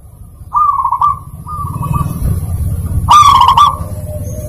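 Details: Zebra dove song used as a lure to coax reluctant birds into singing: short rolling, bubbling coo phrases at a steady mid pitch, then a louder, richer rolling phrase near the end, over a constant low rumbling hum.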